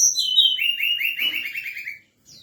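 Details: Night-time lure call of a forktail, given to excite other birds: a quick, steady series of clear whistled notes, each sliding downward, lasting about two seconds and then stopping.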